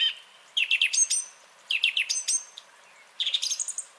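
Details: Song thrush, 30 January 2021, delivering quick bursts of tumbling, rattled notes that end in ringing high whistles, with one phrase type given twice before a new one.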